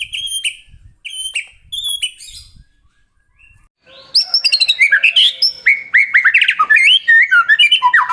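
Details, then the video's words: Shama song used to prompt other white-rumped shamas to sing: three separate short whistled phrases with pauses, followed by a dense, continuous outpouring of varied whistles, slurs and high chattering notes. "suara burung murai batu buat merangsang bunyi murai batu"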